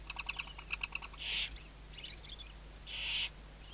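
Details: Western barn owl on camera at Riet Vell Nature Reserve, Ebro Delta, Tarragona, Spain, morning in the 2023 season. Quick ticking clicks open, followed by three harsh, breathy hisses of about a third of a second each.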